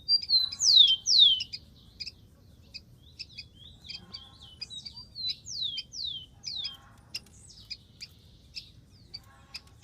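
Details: Song of a wild rufous-collared sparrow: bright falling whistles up front, then a string of quick slurred notes and scattered high ticks. Quieter descending phrases repeat in the second half.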